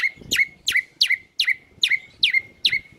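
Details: White-rumped shama (murai batu) singing its repertoire as a morning lure for other birds: clear, bright whistles that fall sharply, repeated evenly about every 0.4 seconds with quiet gaps between.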